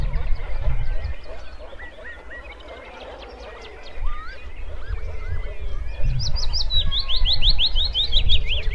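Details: Wood warbler singing: after a busy chorus of other birdsong, a loud fast trill of sharp high notes rises in over the last three seconds, with a low rumble of background noise.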